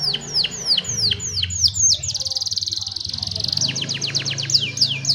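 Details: Young canary song meant to train other canaries, recorded on a cellphone: a series of sharply descending whistled sweeps, then a sustained rolling trill, then more falling notes, over a faint low hum.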